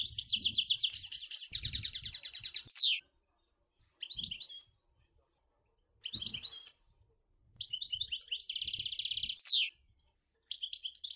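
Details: European goldfinch singing, Sour El Gouzlane: bursts of fast liquid twittering and buzzy trilled rattles, each ending in a sharp downward slur, separated by brief pauses, with faint low thumps beneath.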